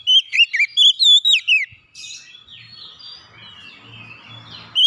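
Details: Oriental magpie-robin song played to coax a silent bird into singing again: a fast burst of loud, ringing whistled notes with sharp upward and downward twists for under two seconds, then faint distant chirping from other birds.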